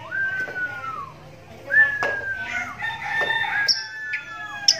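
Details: Oriental magpie-robin, a kept one-eyed bird with a cataract in its right eye since young, now adult, singing so other magpie-robins answer; long clear whistles slide down slowly, two drawn-out phrases with a brighter high note at the end.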